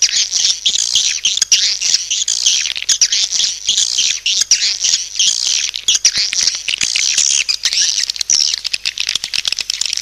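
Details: Swiftlet lure call of busy, hissing high chatter, steady in loudness, punctuated by many crisp clicks.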